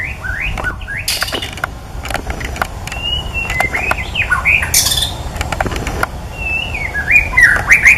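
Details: White-rumped shama in the wild pouring out loud, varied whistled phrases: looping upslurs, quick downward notes and sharp high accents, delivered almost continuously, with clicks and low rumbling noise underneath.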